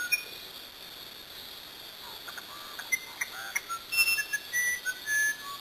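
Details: Musician wren, a Brazilian bird, giving a short phrase of clear whistled notes at varied pitches in the second half, mixed with quick clicking notes after a quiet start.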